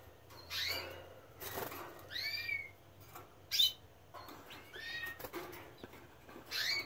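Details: Canary fledglings just out of the nest give soft, short upslurred chirping calls, spaced irregularly about a second apart over a faint low background hum.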